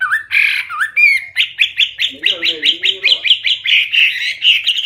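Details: Hwamei singing loudly and clearly in a full, varied song: slurred whistles open, then a fast run of sharp rising notes around three per second, with softer lower chattering in the middle.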